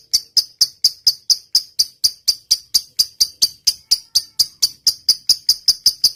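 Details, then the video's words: Energetic lovebird song used to train other birds: crisp, high, clicking chirps repeated evenly about four times a second, each note short and bright, with silence between them. "suara burung lovebird gacor.. ngetik panjang.."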